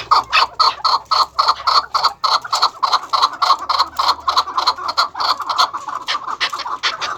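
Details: First- and second-cross maskati chakor, captive chukar partridges kept as breeding farm pairs, repeating a steady series of short clucking chuk notes, about three and a half per second, for the whole stretch.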